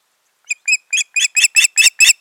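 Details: Nesting ospreys, a pair, mid-June 2019: a series of whistled cheeps starting softly and building in loudness and harshness, about nine notes delivered at a steady quick pace.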